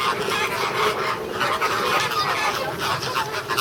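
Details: A flock of American flamingos quarrelling at Ueno Zoo, Japan, in June 2016: continuous, crowded nasal honking and gabbling from many birds, loud and unbroken throughout.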